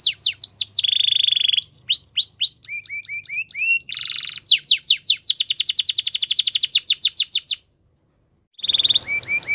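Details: A Belgian canary's morning song alternates buzzy trills, quick falling whistles and short upturned chirps, with a long rapid run of descending notes, a brief pause, then more trilling.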